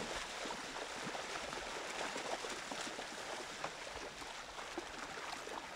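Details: Soft gurgling water and wind hiss with no animal calls.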